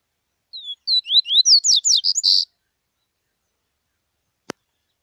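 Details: Bahia seedeater song: a quick series of clear whistled notes, many sliding up or down, accelerating into a brief run before stopping, followed by silence and one faint click.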